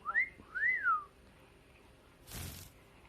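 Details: Pet mitred conure indoors giving two clear whistled notes, each rising then falling, followed by a short burst of broad rustling noise.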